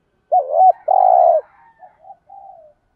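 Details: Urging coo (thúc gù) of a spotted dove, used as a lure for wild doves: a loud bent note leads into a sustained, loud, burry coo, then two or three faint short coos.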